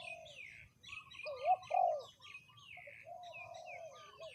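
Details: Decoy spotted dove in its third calling round gives a loud double coo, two swelling hollow notes back to back, amid quieter cooing doves and high chirping birds.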